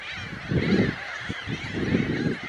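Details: Glossy ibis giving two low, hoarse grunting calls about a second apart, each roughly half a second long, over a steady background of high chattering from many other birds.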